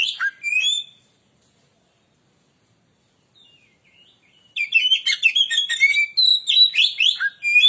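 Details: Oriental magpie-robin in full lure song to excite other birds: a brief whistled opening, a pause, then a dense three-second run of rapid chirps, trills and loud whistles.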